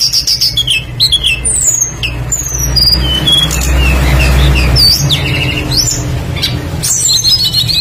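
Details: Lure song of a tledekan songbird, played to make other birds sing: rapid high whistles and downward slurs, the song thinning midway while a low rumbling hum swells, then quick chirps return.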